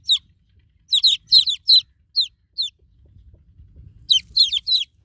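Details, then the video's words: Newborn chicken chicks call for a broody mother hen with sharp, high, downward-sliding cheeps in irregular clusters, then a few seconds of near silence with a faint low rumble before another burst. "Cute Baby Chicks Birds Sound Effect New Born Chicken Chicks Calling For Broody Mama Hen"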